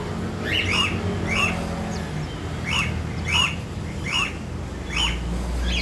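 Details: A two-day-old cockatiel chick gives short, raspy begging peeps, repeated roughly every half second to second.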